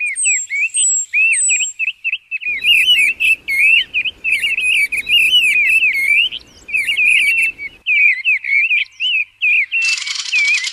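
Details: Mistle thrush on passage, recorded in 2020. Dense, fast chattering phrases of looping whistled notes, with high thin notes at the start and a harsh rattling burst near the end.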